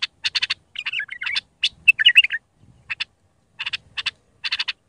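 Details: Iraqi bulbul singing in the raw Mandali style for tutoring chicks: loud clustered clicks framing two short mellow, gurgled whistle phrases, against a faint low rumble.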